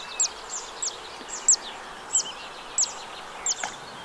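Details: Zitting Cisticola singing in a wetland at the Arzal dam, Morbihan, on 2 June 2023: sharp, very high 'zit' notes repeated about every two-thirds of a second, six in all, over a steady hiss of background noise.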